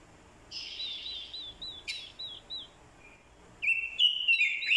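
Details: Lure Orange-headed thrush giving fighting song alongside a female's call meant to rouse a male; a sustained whistled phrase, a few short looping notes, then a loud rising rich warble.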